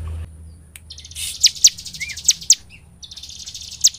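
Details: Bar-winged prinia (ciblek) in the lively gacor nembak style, used as a lure to make ciblek sing day and night: scattered sharp high ticks and a short low slurred note, with a faint low hum at the start.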